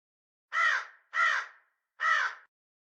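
A crow gives three harsh, hoarse caws, each about half a second long, with brief pauses between them; nothing else is heard.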